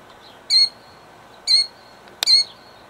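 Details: Three sharp, high, insistent calls about a second apart from a female killdeer guarding her eggs in Jackson, New Jersey, 2008; a single click sounds just before the last call.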